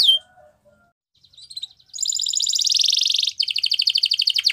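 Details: Canary gives a single sharp high note, a pause with faint soft notes, then a long rapid rolling trill followed by a second fast pulsed trill.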